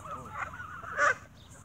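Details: Geese fed bread in the evening squabble, a brief burst of overlapping honks topped by one loud, harsh call.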